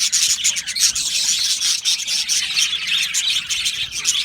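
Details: Colony of Australian budgerigars in an aviary, a dense continuous wall of high chirps, warbles and short squawks from many birds at once, with no pauses and steady loudness throughout.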